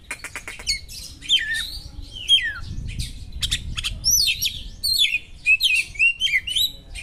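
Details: White-rumped shama giving an intense song of small-bird imitations: a dry rattle at the start, then downward-slurred whistles, buzzy bursts and quick repeated chirping notes toward the end.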